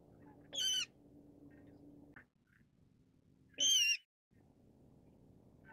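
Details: Brown-cheeked rail uttering two harsh, piercing squeal-like calls about three seconds apart, loud and brief, against a quiet low droning background.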